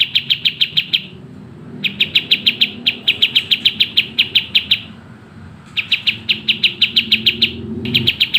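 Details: Fast, tightly packed song of a sooty-headed bulbul in strong voice: four volleys of rapid, uniform piercing chirps, each run one to two seconds long, separated by brief gaps, over a quiet low hum.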